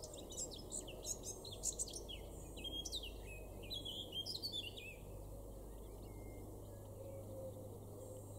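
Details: Eurasian blackcap male in a garden at Weener, East Frisia, Germany, May 2022: about four seconds of fast, scratchy twitters and bright whistled notes, followed by quieter seconds with only distant background hum.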